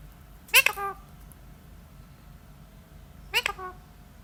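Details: Talking parrot in a small room asked to copy a dog, answering with two brief, rasping, bark-like yelps about three seconds apart over low background hum.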